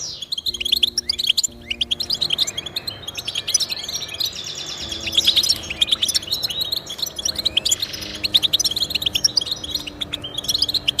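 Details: European goldfinch song intended to motivate pet goldfinches: a fast, jangling mix of chirps, trills and short buzzes, steady throughout, with faint low humming tones beneath.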